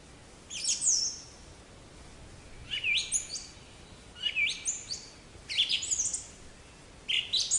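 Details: Black-capped chickadee, a small North American songbird of deciduous and mixed forests; high thin whistled notes and short buzzy chirps in groups roughly every one to two seconds over quiet background hiss.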